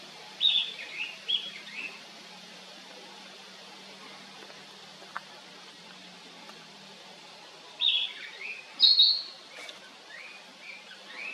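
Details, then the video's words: Narcissus flycatcher gives two brief bursts of high, clear chirping notes about seven seconds apart, with a few softer notes trailing off, over quiet background hiss. "キビタキの鳴き声The cry of the Ficedula narcissina"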